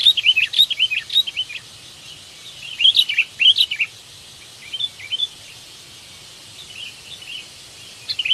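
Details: Sooty-headed bulbul calling while seeking a mate, used as a lure for trapping; lively clusters of quick, bubbly chirped notes in rapid runs, pausing briefly and resuming, over a steady hiss.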